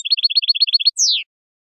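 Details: European goldfinch, Algerian bird, singing the khelwi song style: a quick run of about eleven identical high chirps, then one long sweeping note sliding downward, clean and without background sounds.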